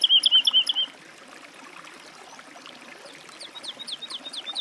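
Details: Woodlark song phrase: a brief, loud run of rolling liquid notes, then near silence with faint, distant repeated whistles toward the end.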